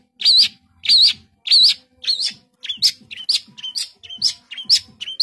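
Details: Cendet (long-tailed shrike) singing with tight 'tembakan' phrasing: loud wavering whistled notes repeated in quick succession, shifting into shorter mixed chirps.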